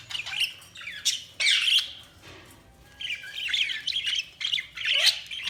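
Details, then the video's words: Chirping budgies give sharp bursts of harsh squawks and bright warbled notes, separated by short lulls, growing into rapid chatter near the end. "Budgies Sounds| Budgies Chirping sound"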